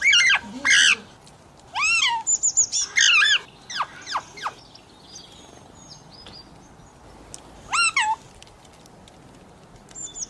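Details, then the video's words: Talking parrot, described as calling mummy and asking for roti, gives a burst of several harmonic, speech-like syllables, a pause, then more sweeping calls, with faint high chirps and background hiss between them. "talking parrot Mithu 🦜 calling mummy mein mithu ho 🤩 roti do 😘 मम्मी पापा बोलने वाला तोता"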